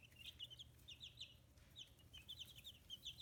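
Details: Brooder-raised chicks, fifteen days old and newly feathering, on a free-range poultry farm in Kitahiroshima, Japan: a dense, continuous chatter of shrill, short chirps with barely a pause, several birds calling at once.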